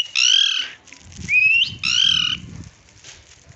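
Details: Slaty-headed parakeet uttering two harsh, nasal squawks separated by one rising whistled note, over a faint low rumble in the background.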